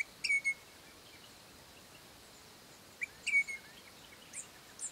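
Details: A pair of Crimson Rosellas living on a private property call to their young: two bouts of clear whistled notes with a sharp rising start and a drawn-out tail, about three seconds apart, over a faint steady background hiss.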